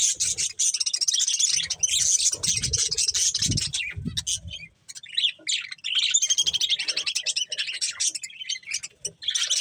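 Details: A flock of budgies eating corn fills the air with shrill, rattling warbles and quick tweets, a short lull midway, then the chatter resumes, with soft crunching below.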